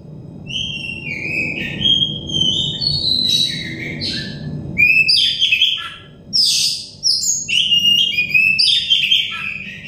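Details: Oriental magpie-robin song for a stressed bird as singing therapy: a long run of sweet whistled notes and slurs that grows into busier, harsher chattering phrases with brief pauses, against a soft low rumble.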